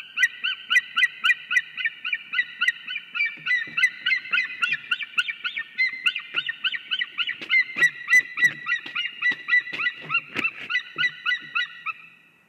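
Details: A white-tailed eagle pair calls while mating on the nest in Latvia's Ķemeri National Park, seen on a live camera. Fast, ringing yelps come about three or four per second for twelve seconds, over light thumps and rustling.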